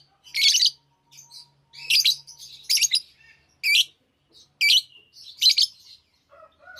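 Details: Lovebirds singing and chirping: bursts of sharp, high, buzzy chatter in short clusters roughly every second, broken by brief pauses, with a few softer lower whistled notes near the end.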